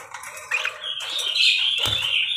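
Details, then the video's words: Parakeet chatter: thin chirps that build into a sustained, bright, buzzy warble with a steady high tone and short scratchy notes, and a soft thump near the end. "BURUNG PARKIT GACOR CANTIK"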